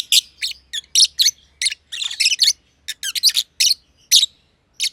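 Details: Aviary pair of personata lovebirds, one green and one green pied, close companions that play together, chirping in rapid harsh bursts with brief gaps, some notes grouped in twos and threes.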